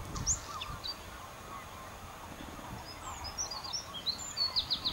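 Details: Bluethroat (Luscinia svecica) singing on Texel, Netherlands: scattered high, thin whistles and sharp ticking notes, quickening into a run of clicks at the end, over a low rumble of wind.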